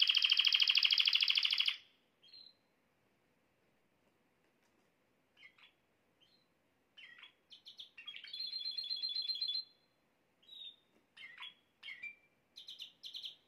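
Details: Canary song used to make a female canary take the mating posture quickly: a loud, fast buzzy trill of two seconds, then quiet scattered chirps and a thin, high trill.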